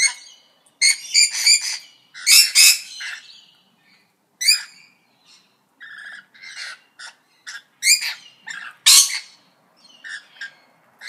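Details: Parrots giving varied squawks, rasps and sharp clipped notes in irregular bursts, some loud and some soft, with quiet gaps between.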